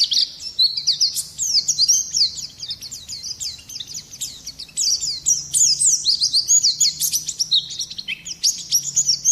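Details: Oriental white-eye in full song, intended for attracting birds and tutoring other songbirds: fast, jumbled, very high twitters and chips, rising and falling, delivered in dense runs over a quiet low hum.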